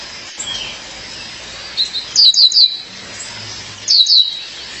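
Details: Calling her mate, a female violaceous euphonia gives two groups of sharp, high, descending notes, three quick notes near two seconds and two more near four seconds, after a quiet start.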